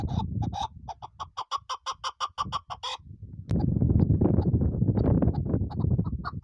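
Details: Hunting-kept female chukar partridge utters a quick regular string of loud clucking chuk notes for about three seconds, then the calls are swamped by heavy low rumbling noise with only faint notes showing through.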